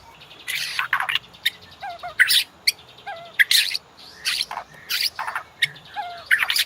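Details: White-rumped shama master song, used to train caged birds and prompt them to sing: loud varied bursts of sharp chirps, rich harsh notes and short slurred whistles, delivered in rapid phrases with brief pauses.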